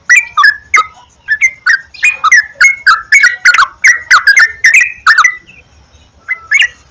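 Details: Yellow-vented bulbul song used as a lure to encourage a caged bird to sing: a steady run of short, bubbly, slurred whistled notes, several per second, with clear chirpy accents.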